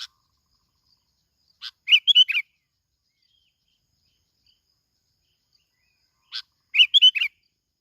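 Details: Plain-backed sparrow from Binh Thuan, Vietnam, used as a lure, repeating the same phrase twice about five seconds apart: a single short note, then a fast cluster of bright chirps.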